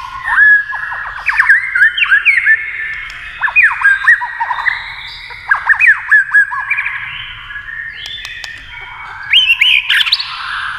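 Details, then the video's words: Male-style competitive singing by a white-rumped shama answering a TV, with tail flicking. Loud bursts of whistled, arched notes and chattering phrases come in clusters, with quieter gaps between them. "kích chòe lửa hót đấu với tivi cực căng lửa"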